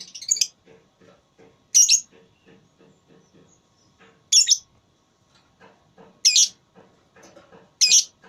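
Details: Competing lovebird in a voice battle: five piercing, screechy bursts roughly every one and a half to two seconds, with quiet low clicking and chatter between them.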